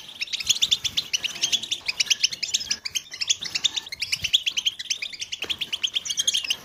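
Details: Group of European goldfinches in a chorus meant to stimulate others to sing, with mating calls: dense, fast, high twittering and tinkling chirps pouring out without pause, several birds overlapping.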